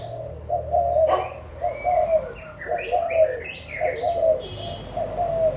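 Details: Adult spotted doves from Malaysia and Thailand, 16 March 2022, giving rhythmic low coos about once a second. Several doves overlap, with thin whistles and chirps from other small birds above them.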